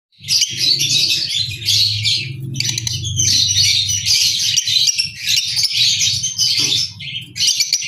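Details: Albino red-eyed lovebirds give dense, high shrill chattering and squeaky chirps in nearly unbroken bursts, with brief pauses around five and seven seconds and a low rumbling hum underneath.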